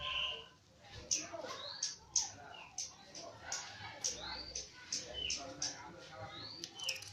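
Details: Javan myna in active song, mixing quick rising whistles, sharp high ticks and varied chattering notes in an irregular, busy sequence at fairly low volume.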